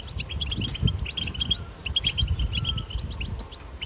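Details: European goldfinch singing in the wild in the betbeta style, used to encourage goldfinches to sing: dense bursts of bright, high twittering notes with brief pauses, set over a persistent low rumble.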